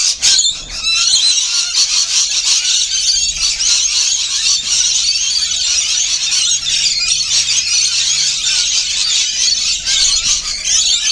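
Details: A flock of rainbow lorikeets feeding, unbroken shrill squealing and screeching chatter from many birds, with a faint low hum beneath.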